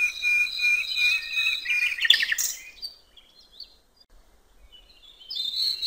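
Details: Nightingale by a riverbank in natural surroundings, giving a sustained whistle under a buzzy pulsed trill that ends in a harsh burst, then quiet and soft high notes before a fresh phrase begins.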